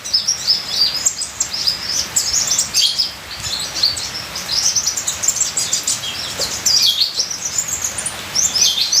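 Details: Ninja sunbird in full song: a dense, unbroken stream of very high chirps, trills and sharp notes, energetic throughout, with a faint patter of rain in the background.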